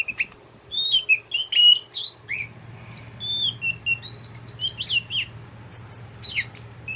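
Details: Tame kept oriental magpie-robin of the kacer poci kind, singing a varied series of sweet whistles, clipped chirps and high trills, quicker toward the end, over a continuous low hum.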